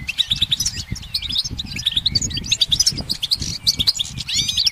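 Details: Goldfinch on a branch singing a quick, high, twittering stream of chirps and trilled notes, ending in a few sliding whistles, over a steady low rumbling background noise.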